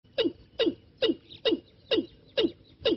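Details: Watercock decoy call used for trapping: a steady series of hollow, downward-sliding knocking notes, about two per second, each with a sharp clicky onset, over a quiet background.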